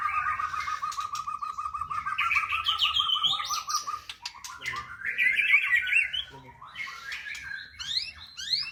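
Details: White-rumped shama, kept as a songbird, singing a varied rich song: a steady run of rapid repeated low whistled notes, then warbling trills and sharp rising and falling phrases, with short chirps and sweeping notes near the end.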